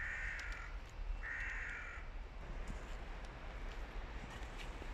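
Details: Hooded crows, adults fighting while young crows listen: two loud, harsh, drawn-out caws, each under a second long and about half a second apart, over steady low background rumble.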